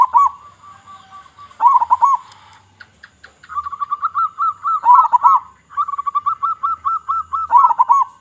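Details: Local zebra dove, a persistent singer with a big voice, used as a lure for other zebra doves: bursts of rapid, rolling coo notes repeated in rhythmic strings, some louder arched notes, with short pauses between phrases.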